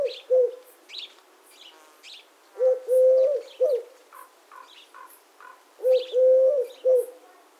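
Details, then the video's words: Eurasian collared dove (Streptopelia decaocto) repeating its low three-part cooing phrase, short-long-short, about every three seconds, with thin high chirps and twitters from other birds in the background. "The sound of the Collared Dove - Dove Sounds"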